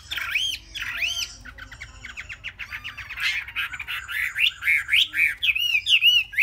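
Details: Caged Chinese hwamei, three months old, opens with two arching whistled phrases, drops into a fast stuttering train of clipped notes, then builds back to loud repeated whistled loops.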